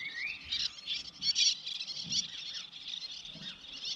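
Little Tern giving high, raspy chattering calls in quick irregular bursts, opening with a short rising squeak, over a faint low murmur.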